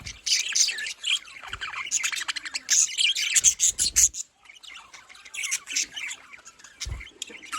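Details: Lively budgerigar chorus of high chirps, squeaks and squawks, loud for four seconds, then a short lull before the chatter resumes more softly.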